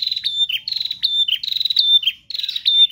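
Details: A continuous stream of bar-winged prinia song, persistent gacor singing: high whistled notes alternate with rapid buzzy pulsed trills, each phrase about half a second long and following the last with almost no pause.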